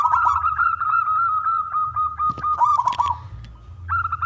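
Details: Big-voiced local zebra dove singing to coax other doves into song. A long pulsing coo is interrupted by crackling bursts and a short lull, then resumes.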